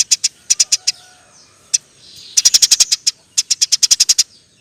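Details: Eurasian tree sparrow in lively nyerecet chirping, recorded for training songbirds; a few short groups of sharp high chirps, a pause, then two dense rapid runs of about seven to nine notes each.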